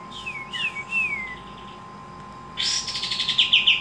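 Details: Pied triller (kapas tembak) giving several descending slurred whistles, then a loud burst of rapid, accelerating chattering notes.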